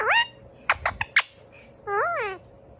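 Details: Two Indian ringneck parakeet brothers calling to each other indoors. A rising squawk opens, then a few sharp clicks, then a longer wavering nasal call that rises and falls.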